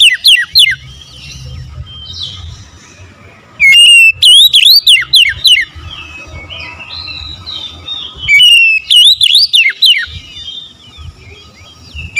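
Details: Oriental magpie-robin singing in three loud phrases of fast, swooping whistles that slide up and down, separated by pauses where softer twittering and low background hum carry on.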